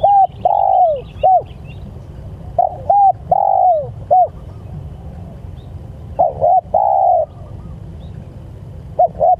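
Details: Spotted dove calling its companions, three phrases of short paired coos followed by a drawn-out, gently falling coo and a clipped end note, over steady low rumble.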